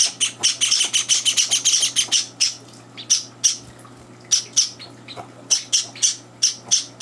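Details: Java sparrow chicks calling at breakfast with older birds intruding; a quick dense volley of shrill cheeps, then slower spaced chirps after a pause.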